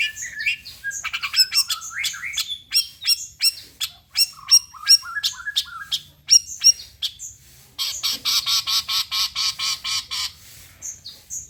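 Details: Long-tailed shrike lure song meant to set other shrikes singing: rapid scratchy and chattering notes in quick bursts, then a dense run of harsh buzzy chips, with brief pauses between phrases.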